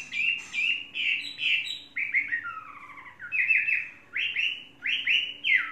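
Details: Caged, tame Chinese hwamei of three seasons delivering varied slurred whistles: a series of rich descending notes, a lower falling slide, then emphatic rising-and-falling phrases repeated about once a second.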